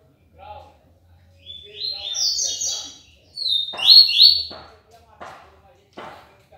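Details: Seedeater called papa-capim, from Aracaju, Sergipe, Brazil, delivering 'tui tui limpo' song: two bright, buzzy, high twittering phrases, the second louder, with soft low murmuring voices and several sharp clicks around them.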